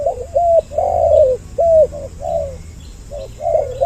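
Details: Spotted dove calls from a two-voice lure track for attracting both sexes: a few drawn-out, slightly wavering coos, each sliding gently down at the end, separated by short pauses.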